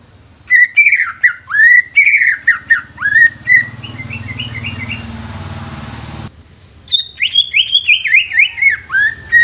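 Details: Young greater green leafbird singing, its song used to stimulate untrained leafbirds. Loud whistled phrases with sliding, rising and falling notes and quick chattering runs, then a few seconds of low rumbling noise before another burst of rapid whistled phrases.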